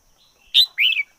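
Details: Red-whiskered bulbul kept as a decoy bird: a short loud phrase of two notes, a sharp high burst followed by a warbled, slightly descending whistle, over quiet background.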